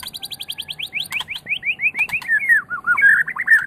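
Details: White-rumped shama of the Medan type, a champion-quality bird used to stimulate other birds to sing: rapid series of repeated slurred whistles, about two per second, descending gradually in pitch, with brief sharp ticks.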